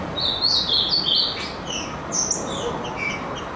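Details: Green-winged saltator, a true trinca-ferro, answering after being provoked: a short burst of clear whistled notes around a high pitch, some slurred and rising, over a steady background hiss.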